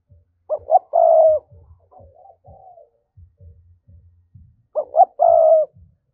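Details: Spotted dove coo in the thúc style, used as a trapping lure: a pair of phrases, each with two short upslurred notes leading into a drawn-out hollow coo, with quiet low tapping between them.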